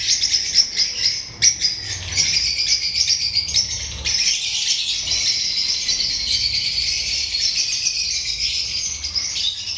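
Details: Lovebirds calling on 31 October 2024: an unbroken wash of high, overlapping squeaks and twitters from many birds, with a few louder chirps near the start.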